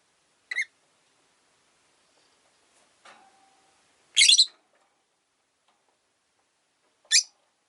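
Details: Caged rosy-faced lovebird living alone after losing its partner, by a window: sparse single high chirps spaced several seconds apart, one longer harsh burst in the middle, and faint soft clicks and a brief low tone.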